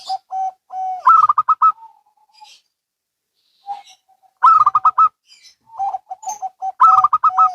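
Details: Zebra doves of local and Bangkok lines calling back and forth, with mellow coos followed by fast rolling chains of stuttered notes, two main bursts a few seconds apart.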